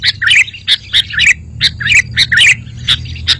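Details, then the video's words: Sooty-headed bulbul song used to provoke other bulbuls into answering: quick chirpy notes and short bubbly slurred phrases, closely spaced in uneven bursts, over a faint low background rumble. "Suara Masteran Burung Kutilang Berkicau, Kutilang Auto Nyaut"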